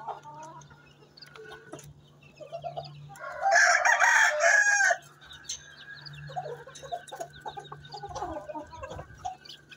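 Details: Asil Rampuri rooster on a farm in Chihuahua, Mexico: a loud, harsh crow lasting over a second rises out of background clucking, then a long thin tone and further clucks continue beneath a constant low hum.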